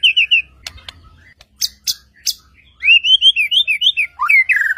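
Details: Bright white-rumped shama song meant to provoke other shamas into answering: a few sharp clicks, then a fast run of clear whistled notes, ending with a rising whistle that falls into a lower slurred tone.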